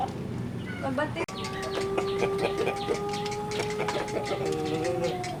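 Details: Sunbathing young Pelung rooster in Sukabumi regency, West Java, sustains a long, slightly wavering crow lasting several seconds while people talk and clatter nearby.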